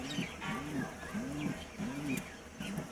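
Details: Pigeons, a new pair in a colony, cooing: low, rounded, arching coos repeated about every 0.6 seconds over a steady background hiss, with faint higher sounds scattered throughout.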